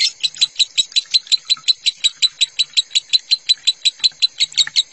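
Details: Lovebird in the minor style, played as a tutoring recording for caged lovebirds: a fast, very regular string of sharp, high chirps, about three every second, steady in pitch and loudness throughout.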